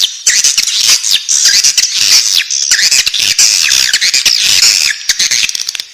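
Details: Nestling swiftlets in their nest give a continuous, shrill clamour of rapid, scratchy chirps and rising-falling squeaks, many voices overlapping throughout, fading slightly at the end.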